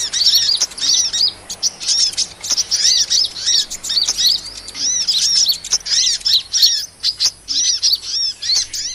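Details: Lure recording of sunbird calls for catching small birds: bright, high chirps with arched, slurred notes and a softer lower overtone, delivered in short bursts roughly every half second, with occasional sharp clicks.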